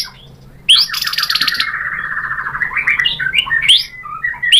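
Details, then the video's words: White-rumped shama song played to provoke a rival into answering: after brief quiet, a long buzzy rattling trill runs for nearly two seconds, followed by sharp upslurred whistles and chirps. "pancingan MURAI BATU GACOR FIGHTER ampuh untuk menaikkan emosi biar NYAUT BONGKAR ISIAN | SHAMA BIRD"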